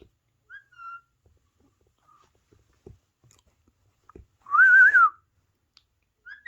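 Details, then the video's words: A pet parrot, possibly an Alexandrine or ringneck, gives a few short whistled notes, then one loud, wavering whistle lasting about half a second, with faint clicks and rustles between the notes. "Parrot Talking"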